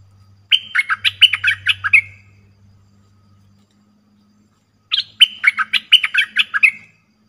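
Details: Trapping-lure recording of a cream-vented bulbul giving two clear phrases of quick, bubbling, chattery notes, each lasting about one and a half seconds, separated by a three-second silence with a faint low hum.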